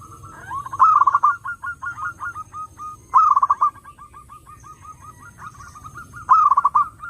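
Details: Zebra dove, called perkutut, played to lure other doves: bursts of rolling, trilled cooing notes near one pitch, each followed by a trailing string of softer repeated coos, recurring about every three seconds with faint background echoes of further doves.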